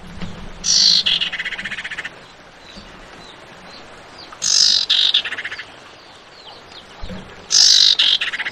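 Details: Female Javan white-eye calling the male to provoke a response, used as a lure. Three loud, harsh, buzzy bursts, each about a second long, arrive roughly every three seconds, with faint thin chirps between them.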